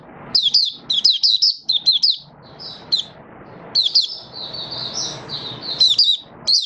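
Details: Caged Malaysian mata puteh, or oriental white-eye, singing its 'buka sing' opening song while out of form: clusters of quick, sharp, high chirps, then longer slurred warbling phrases and more chirp bursts.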